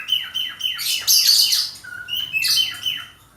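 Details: Male budgerigar in breeding condition, kept as a hobby bird, singing a busy chattering warble of sharp downward-sweeping chirps mixed with harsh high squawky bursts, all bright and high-pitched, indoors.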